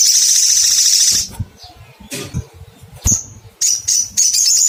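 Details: Crimson sunbird (sogon) calling to find a rival: a long, loud, high buzzy chatter at the start, then after a pause several short, high, squeaky chirps in quick succession, with soft low thumps between.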